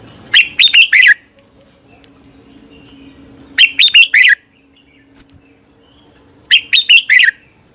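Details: Red-whiskered bulbul, a lure bird used for training, giving morning competition song: three loud bursts of quick, bright warbled notes, each under a second and repeated about every three seconds. A thin, high, faster series sounds between the second and third bursts.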